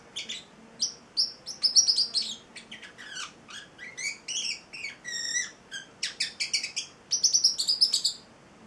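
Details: Pet male Celestial parrotlet, eight weeks old, sings a varied string of high chirps, squeaks and short tonal, rising notes, with a brief harmonic, nasal phrase midway.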